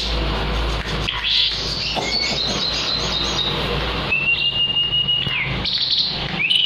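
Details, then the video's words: Caged Asian pied starling singing actively, kept as a tutor bird: harsh chattering bursts and scratchy notes mixed with a clear, steady whistle that slurs downward near the end, over a constant low rumbling background noise. "JALAK SUREN GACOR"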